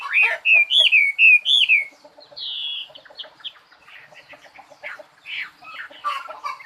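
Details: Songbird opening with a series of loud, clear, looping whistled notes, then a softer, quicker sequence of chattering and twittering notes with brief pauses between bursts.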